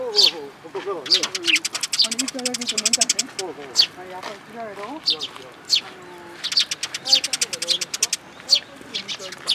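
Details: At a plum-tree feeder at a Tenmangu shrine, 21 June 2022, sparrows gather with a newcomer fledgling. Dense bursts of rapid high chirping come in clusters, while human speech runs through much of the recording.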